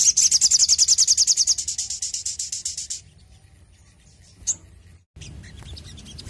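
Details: Sogon, the crested jay, sounding to prompt captive birds into song: a loud, rapid, high rattle that gradually weakens over about three seconds, followed by quiet with one lone chirp.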